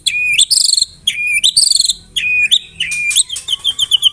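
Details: Singing white-rumped shama in a mimicry-filled song with canary and cililin phrases. A clear whistled note alternates with short bursts of shrill, buzzy high chatter, each phrase repeating about every second, followed by quick staccato notes.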